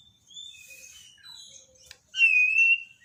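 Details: White-rumped shama from Borneo, daily training material for a bird gone quiet: scattered thin high whistles and twitters, a sharp click near the middle, then a loud, clear, slightly wavering whistled note held for over half a second.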